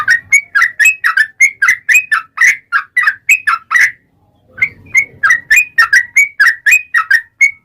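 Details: Yellow-vented bulbul singing vigorously, 'ropel panjang' style: a steady stream of short bubbly whistled notes, about four a second, rising and falling, broken by one brief pause with a soft rustle.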